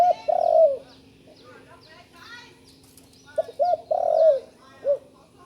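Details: Young spotted dove practising its call: a low coo phrase opens, and another follows at about three and a half seconds, with clipped hoots, a long sliding coo and a short last note. Faint bird chirps behind.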